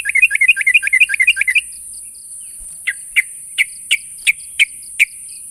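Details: Sooty-headed bulbul challenging a rival: a fast run of bright chirps, then after a pause single sharp notes repeated roughly every third of a second, over a constant high-pitched hiss and a faint beeping tone.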